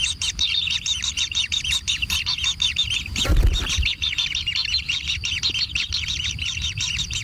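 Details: Kingfisher chicks in a natural nest beg while being fed, with rapid high chirps throughout, a brief dull thump or flutter midway, then the excited chirping resumes.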